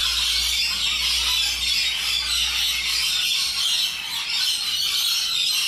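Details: High, harsh screeching from a gathering of wild rainbow lorikeets in Australia, a dense continuous chatter of many birds calling at once.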